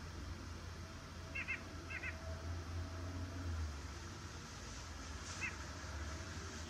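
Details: White-breasted nuthatch giving three short nasal notes near two and five seconds, each with stacked overtones. A steady low rumble runs underneath throughout.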